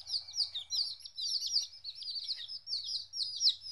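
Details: Chicks 14 days old, away from their mother for the first time, give dense overlapping high peeps, each sliding downward, in a continuous chorus, with a faint low hum underneath.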